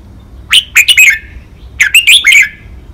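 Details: Five-syllable แม่บท ลากหวาย song of a caged red-whiskered bulbul, made for training birds: a pair of lively phrases of crisp, cheerful whistled notes, each rising then dropping, with a brief silence between.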